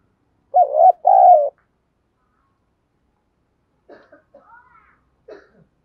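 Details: Spotted dove calling as a lure in local field-voice style to provoke and train wild-caught fighting doves. A quick pair of husky coos, then faint scattered knocks and soft rustling after a pause.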